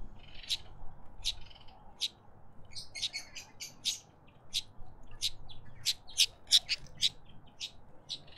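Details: Karoo thrush calling at a bird bath in a Pretoria suburban garden, South Africa; quick, high, clicking chirps that speed into dense bursts midway, then steady again, over faint background noise.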